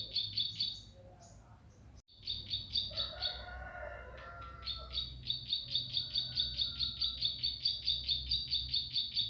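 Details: Bar-winged prinia singing hard: long, steady series of shrill, high, clipped double notes repeated rapidly. A brief break brings softer lower warbles, then the series resumes, with a faint hum beneath.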